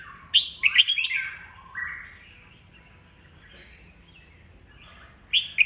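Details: Red-whiskered bulbul, an old wild-matured bird, singing to spur newly caught birds into competitive song: a quick loud cluster of bright, warbling notes, a falling slurred phrase, a long quiet stretch, then one more sharp note.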